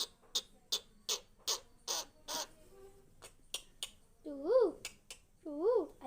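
A talking bird gives a run of dry clicks and taps, then two drawn-out, voice-like notes that rise and fall, sounding almost like speech.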